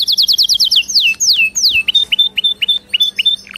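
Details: Canary singing used for training: a quick high trill, three long falling whistled slurs, then a series of short sharp chirps spaced regularly, with faint background hum.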